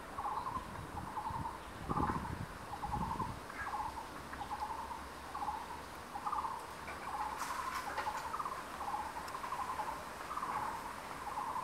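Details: Crested goshawk calling at a secondary-forest nest with two chicks about 23 days old, 12 May, where the male delivers food and the female carries it to the nest: a steady series of thin, mid-pitched whistled notes, about one a second, with faint rustling and dull knocks.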